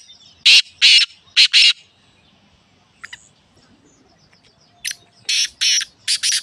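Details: Pet black francolin call, in winter, for playing to a francolin that does not call. Loud rasping, broadband syllables come in a quick group of four, then a pause, then another run of five harsh notes.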